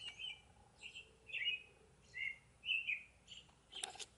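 A Northern Cardinal sings a series of short, clear, slurred whistles, about six phrases in four seconds, with a brief sharp click near the end.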